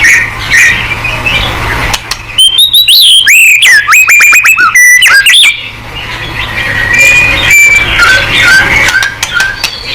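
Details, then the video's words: White-rumped shama singing hard to provoke other shamas into answering: a burst of loud, fast whistles with steep slides, set between longer stretches of softer chatter and background noise. "MURAI BATU GACOR|Hanya cukup 5 detik Langsung NYAUT!!"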